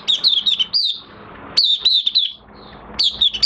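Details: Oriental white-eye in minor moult singing, recorded 3 June 2022: short bursts of high, thin warbled notes that sweep up and down, grouped into quick phrases separated by brief pauses.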